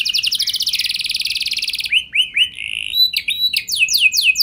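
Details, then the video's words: Canary song for prompting other canaries to sing: a fast, even buzzy trill of rapidly repeated notes, followed by slower swooping whistled slurs and varied chirping phrases. "Pancingan Burung Kenari Biar Ikut Gacor Ngeroll Panjang! Pasti Nyaut Kenari Mana Saja Dengan Ini"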